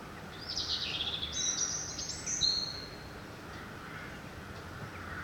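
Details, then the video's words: At dawn outside a window, an unidentified bird pours out a high, thin trilling phrase with sliding whistled notes, over a steady hum of ambient noise. "Утренняя птица поет на заре у моего окна"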